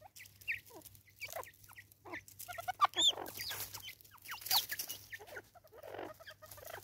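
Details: Raucous Natal spurfowl calling in South Africa, a loud jumble of grating cackles and descending notes that rises to a peak near the middle, mixed with a few thin higher whistles and a constant low electrical hum.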